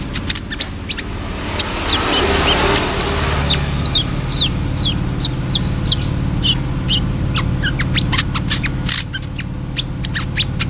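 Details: Brown-throated sunbird chattering steadily: many short high tweets, brisk downward flicks and sharp ticking notes repeated several times a second, set against a low continuous engine-like drone and a brief rushing noise early on.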